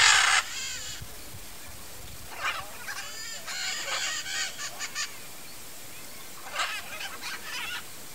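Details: Nesting pair of blue-and-yellow macaws among trees: one loud grating squawk opens, followed by clusters of harsh rasping calls repeated in quick series, softer and more distant.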